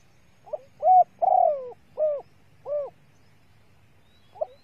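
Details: ['Lure call of a female spotted dove, meant to excite males: a brief lead-in note, then four mellow, rounded coos in an even series, then another short note after a pause.']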